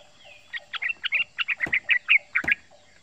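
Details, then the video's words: Young male yellow-vented bulbul, not yet a year old, in its 'ropel' call suited to luring other birds: about a dozen crisp, whistled chips in an even run, with two sharp knocks. "Suara Panggilan Trucukan jantan"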